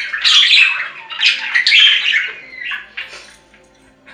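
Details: Domestic budgie warbling, played for lonely budgies: a run of harsh, buzzy squawks and descending chirrups in the first two and a half seconds, then softer scattered chirps fading out.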